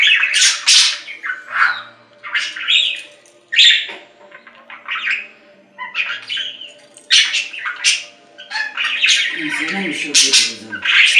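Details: Budgerigar chattering continuously in scratchy warbles, sharp clicks and squeaky chirps, with a soft lower murmur joining near the end.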